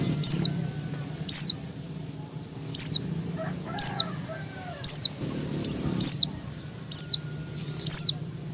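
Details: Female Oriental white-eye calling a male, played to prompt males to sing: around ten sharp, high, downward-sliding calls about a second apart, a faint lower buzzy sound midway, constant low hum beneath.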